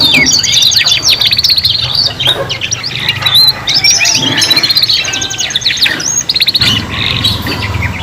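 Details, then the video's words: Young canaries, three singing at once, used for juveniles learning song: bright chattering trills and quick sweeping whistles crowd together without pause, rattling runs standing out, over a faint low background hum. "KENARI PAUD BELAJAR BUNYI BARENG 3 IN 1 | CANARY SINGING"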